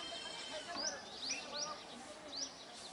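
A flock of Brahminy starlings chatters busily, with overlapping squeaky, rising and falling whistles and harsh notes a few times a second over a steady hiss.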